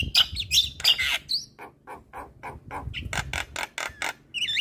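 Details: Captive-style Javan myna chatter, made to spur silent or stressed mynas; squeaky whistles open, then an even run of harsh clipped notes about four per second, ending with a wavering whistle.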